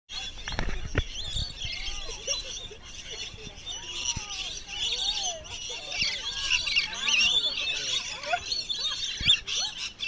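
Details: Wild rainbow lorikeets being hand-fed at Bungalow Bay, Magnetic Island, on 26 December 2013, at the end of a wildlife tour. The crowd keeps up a constant loud, shrill, screechy chatter of overlapping squeals, with people's voices talking underneath.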